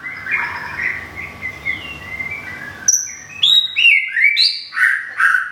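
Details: Moulting caged white-rumped shama from Thung Song, Thailand, starts with quiet rambling warbles then switches to bright, loud whistled phrases and sharp chirps in a bouncing rhythm.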